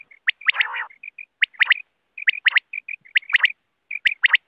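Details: Wild quail calling for net hunting: quick clusters of two or three sharp, high whistled notes repeated about every second, soft chirps between them, and one brief harsh rasping burst near the start.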